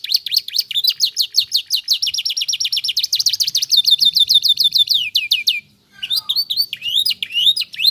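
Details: Canary song played to get other canaries singing back: long fast trill of repeated high notes, a string of falling whistles, a short pause, then more varied chirping phrases.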